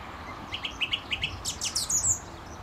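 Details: Male song thrush singing close by at a St Albans gravel pit, England, May 2012. Clipped, repeated notes come in a quick run, then a burst of higher, sharper squeaky notes, with faint low background hum.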